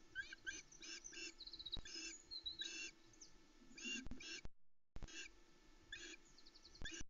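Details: Osprey chicks mobbing the male as he lands with a whole trout on their Loch Arkaig nest, 16 July 2020 at 05.42; rapid squeaky and chittering cries amid rustling, scuffling and a brief dropout.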